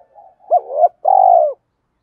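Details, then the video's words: Spotted dove lure call, brief: a soft low note, a wavering arched coo, then one long rolling coo. "Tiếng chim cu gáy kích bổi hàng ngày"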